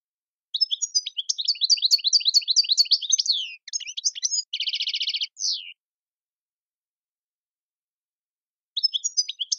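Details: European goldfinch in tiwawati song style: fast high liquid twitters for about three seconds, a short chattering run, a steady buzzing trill, one slurred down-note, a long pause, then twittering resumes.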